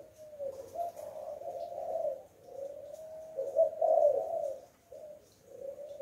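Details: Spotted dove, a decoy bird with the 'Hạp Bổi' voice style, calling to stir wild doves: low, mellow coos run almost without pause, swelling and dipping in loudness, with a faint room hum behind.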